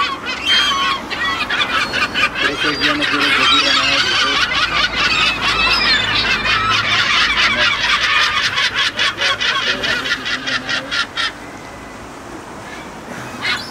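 Kelp gulls calling together in a noisy chorus: harsh, nasal yelps overlap, then a fast run of clipped, laughing notes before the calls fade.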